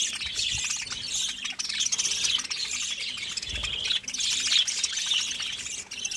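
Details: Busy budgerigar chorus of quick overlapping tweets and scratchy warbles that never pauses, with a soft low thump around three and a half seconds and a faint background hum.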